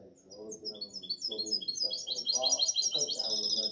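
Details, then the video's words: European goldfinch hybrid of seven months, 2019–2020 hatch, singing a rapid string of high chirps that builds into a fast, buzzy rattling trill toward the end, with a man speaking Arabic alongside. "Mi mixto de jilguero tiene 7 meses de 2019 2020"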